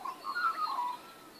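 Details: Brief magpie warble from a backyard, recorded 19 April 2014: a quick run of fluting, slightly wavering mid-pitched notes that fades out after about a second.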